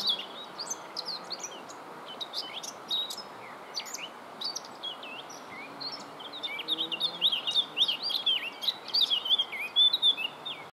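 Eurasian blackcap song: quick, chattering warbles that swell after several seconds into louder, clearer fluting phrases, over a steady low background hiss.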